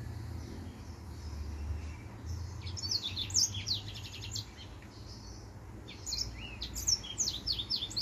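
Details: Male white tip finch sings two bursts of quick, high-pitched chirps and sharp slurred whistles, separated by a short lull, set against a soft, steady low hum.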